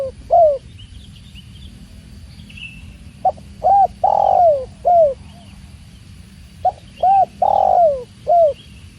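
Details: Two repeated cooing phrases from a spotted dove (tekukur), each a clipped note, a rounded coo, a long falling drawn-out coo and a final falling note, with faint high chirps of other birds and a constant low rush of water.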